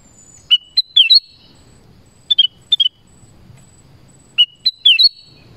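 A black-crested bulbul gives clear, bubbly whistled phrases of three to five quick notes, repeated every two seconds or so over a quiet low forest hum.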